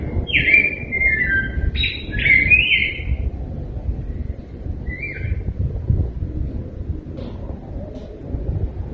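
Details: Rose-breasted grosbeak giving a short burst of sweet, warbling whistled phrases in the first three seconds, then a single brief phrase, followed by quiet with low background rumble.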